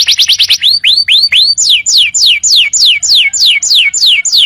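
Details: Tutor song of a canary, used to train untrained birds: quick trilled notes, then a run of upward-curving whistles, then clear descending whistled slurs repeated about three times a second.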